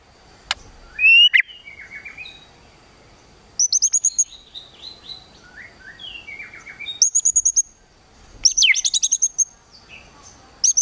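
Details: White-rumped shama song used to provoke a rival's emotion, heard as scattered high, thin whistles and quick trilled bursts separated by quieter gaps, with soft background rustle and a steady faint hum.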